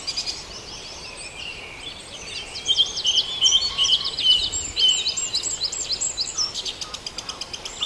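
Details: Several birds singing together at dawn in Farndale. High twittering phrases and rapid repeated notes overlap and grow louder midway, then give way to a steady pulse of quick chips over light ambient hiss.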